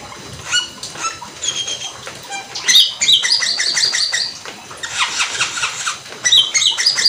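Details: Cucak keling (black-winged myna) in fast, full 'gacor teler' song, meant to stir other cucak keling into singing: loud bursts of harsh, buzzy, harmonic-rich notes and quick chattering runs, with brief pauses between phrases.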